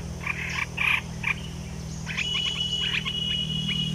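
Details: Olive-winged bulbul (Pycnonotus plumosus), a caged bird, singing a few bubbly phrases, then a run of short chirping notes, over a steady high whine and a low mechanical hum.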